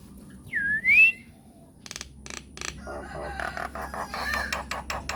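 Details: Myna song as a lure to draw replies. A single loud, sweeping whistle is followed by dry clicks and a stretch of harsh, rapid chattering.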